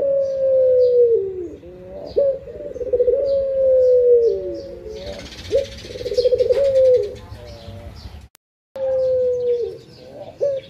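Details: Morning cooing of a pet Barbary dove. A steady series of drawn-out, level, hollow coos, each starting with a rough rolling burr, repeated every two to three seconds. There is a short burst of hiss midway, a brief silent gap, and faint high chirps of other birds.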